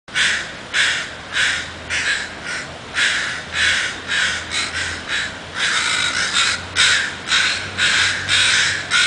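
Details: Crows in North Vancouver dive-bombing an anxious raccoon, giving harsh, raspy caws in a steady barrage, several birds overlapping, roughly two calls per second throughout.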